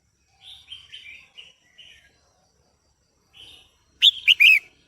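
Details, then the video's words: Female red-whiskered bulbul singing to stimulate the male: a run of soft, slurred warbling phrases with short gaps, then a pause and a loud burst of three bright, fluttering notes near the end. "Chào Mào Mái Hót Kích Trống Căng Lửa | เสียงนกกรงหัวจุกตัวเมียดังฟังชัดกระตุ้นนกตัวผู้หรือใช้ต่อคู่"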